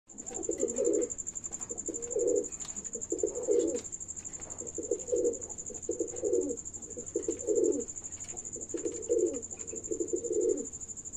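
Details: A pair of pigeons cooing: low, rolling, burbling coos come in short bursts roughly every second or so, one after another, over a steady high electrical whine in the background.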